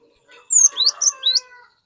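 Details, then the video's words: Single short phrase from a cinereous tit singing to make an untrained bird follow: a sharp descending whistle and three quick rising slurred notes, with a faint hum below. "Burung Glatik Gacor Memancing Glatik Bahan Agar Ikutan Gacor Ngeplong"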